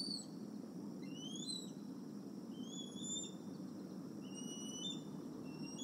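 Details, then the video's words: Eagles at the Decorah nest on the evening of 30 July 2020, as parents bring a fish from the retention pond to nest N1 during fishing lessons; thin, high whistled notes sweep upward in repeated bursts over a steady low rumble. "Decorah Eagles~Fishing Lessons-Who Scores The Fish"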